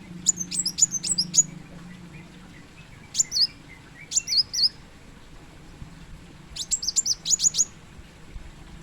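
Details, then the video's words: Plain sunbird, locally called kolibri muncang or kolibri wulung: rapid series of high, sharp chips followed by separated thin, hooked twitter notes and a final quick run of chips, over a low steady hum. "Kolmun ( Kolibri Muncang ) / Kolibri Wulung"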